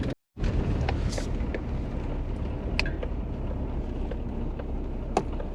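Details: A steady low rumble of wind or engine noise fills the recording, with a few faint clicks and no animal calls.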